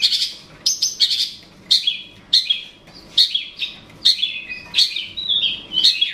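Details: A long-tailed shrike gives a challenge call to provoke a rival: harsh, rasping chatters broken by brief whistled notes, in quick bursts about every half second.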